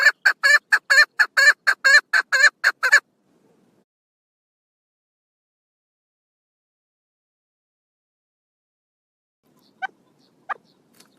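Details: Female chukar partridge recorded 1 June 2022, giving a rapid string of harsh, clucking chuck notes for about three seconds, then a long silence broken by a few faint notes near the end.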